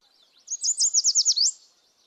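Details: A yellow warbler sings its typical early-season "sweet, sweet, sweet, I'm so sweet" song: a quick, liquid burst of about seven bright, high notes in under a second, ending in a rising flourish. Yellow Warbler.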